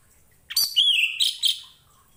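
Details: Orange-headed thrush singing, recorded as a training song for other birds: a sudden burst of high chirps, then a slurred whistle falling away and two more bright trills.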